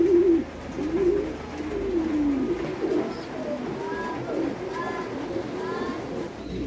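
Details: Several fancy pigeons at a Bangladeshi pigeon farm coo in low, bubbling, rolling phrases. Brief rising whistled chirps from other birds join in the second half.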